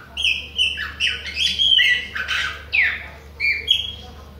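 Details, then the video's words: Pássaro-preto of the Bahian type singing in the face of other birds, with bright whistled phrases, quick up-and-down slurs and a raspy falling note, given in short bursts. "PÁSSARO PRETO BAIANO NÃO PARA DE CANTA NA CARA DOS OUTROS !"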